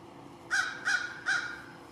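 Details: American crow calling at lunchtime, three short harsh caws spaced about 0.4 seconds apart, each a broad raspy burst with a clear tonal band, over quiet background hiss.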